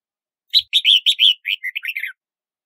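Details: Red-whiskered bulbul (Pycnonotus jocosus) singing a quick phrase of about nine bright, chirpy notes, the first ones loud and rich, the later ones shorter and dropping slightly in pitch, over a silent background.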